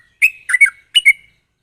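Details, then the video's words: Sooty-headed bulbul, sharp rapid song meant to prompt untrained birds to sing: three short bubbly, slightly squawky phrases in under two seconds, with quiet between. "pancingan burung trucuk gacor ropel tajam ini ampuh buat memancing trucuk bahan agar cepat bunyi"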